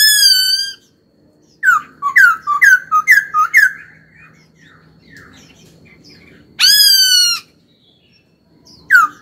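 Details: Caged laughingthrush singing while trained: a clear whistled note, then a run of about six quick slurred chirps, a quiet pause, and a loud harsh burst followed by another sharp note.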